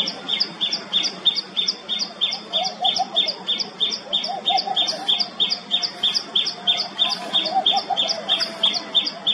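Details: Common tailorbird delivering a long, steady run of bright, high-pitched piercing notes at roughly three per second without a break. A softer, lower warbling chatter from another bird drifts in and out behind it.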